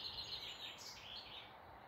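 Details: Morning birdsong in woodland near Malton, North Yorkshire: a dense, high, twittering warble of overlapping chirps and trills, steady and bright throughout, against a light background rush.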